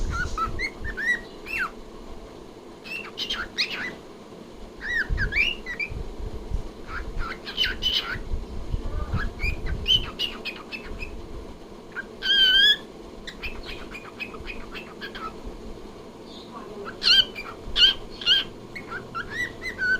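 A cockatiel chirps and whistles in short bright phrases, some wavering up and down, over a low indoor hum.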